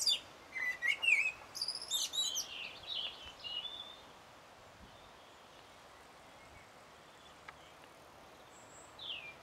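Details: Song of a common blackbird, 1 June 2016, Sony HDR-PJ10E camera: a few seconds of mellow whistled notes mixed with thin high squeaks, then a long near-quiet stretch with faint background hiss.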